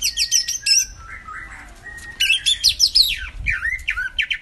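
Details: Song of a cucak ijo mini for luring a quiet bird to sing: quick high chattering phrases, a pause with soft gliding whistles, then varied rapid chips and downward sweeps.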